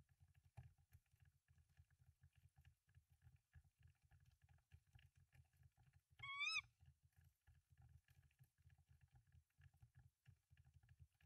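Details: Tawny owl pair at a nest with three eggs, Denmark, March 2024, nest camera: one quick quavering, harmonic screech, about half a second long, after long quiet stretches filled only by a low electrical hum.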